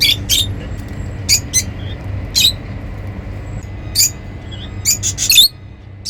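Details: Happy lovebirds calling: short, sharp, high-pitched chirps and squawks in scattered bursts, some paired, with quiet low hum between.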